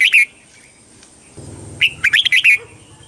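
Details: Red-whiskered bulbul, Thailand, singing the southern master-pattern style to rouse birds and train youngsters. A brief two-note chirp is followed by a pause, then a fast phrase of about five bright whistles over a low rumble.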